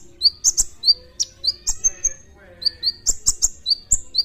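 A sunbird pours out quick, high, sharp chirps and short rising whistles, about three or four notes a second, over a faint low hum.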